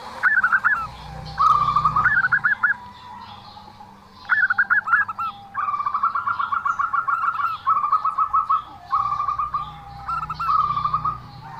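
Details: Zebra dove with an unusual call, long chattering runs of rapid, evenly spaced staccato coos, some higher notes leading into each run, several phrases back to back over a low hum.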